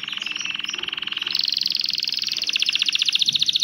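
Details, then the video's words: Canary song meant to stimulate males to sing and prepare females for mating: rapid high trills, a steady buzzy rattle that jumps higher midway and grows louder, with a faint low hum beneath. "أقوى تغريدكناري لايقهر ساعة كاملة"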